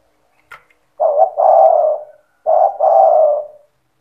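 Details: Spotted dove singing actively in the cetretan style to trigger rival doves to sing: two low cooing phrases about one and a half seconds apart, each with short clipped notes before a long, slightly descending coo.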